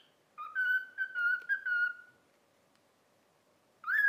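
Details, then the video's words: Pet cockatiel whistling a learned tune, 'If You're Happy and You Know It', after training: a run of clear, slightly wavering whistled notes at steady pitch, a pause, then a new phrase starting, in a quiet indoor room. "COCKATIEL SINGING IF YOU ARE HAPPY AND YOU KNOW IT WHISTLE"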